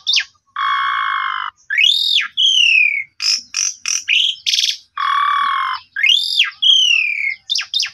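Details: Varied starling song, Asian pied, to encourage a sulking bird: two long buzzy harmonic drones, each followed by an arched whistle and a falling whistle, with short bright chips between.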